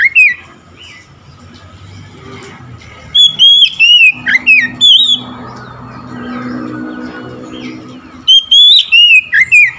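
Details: Oriental magpie-robin bursting into loud singing the moment it hears another magpie-robin; short bursts of clear, sweeping whistled notes with rapid slurs, heard at the start, mid-clip and again near the end, separated by a quiet stretch with low hum.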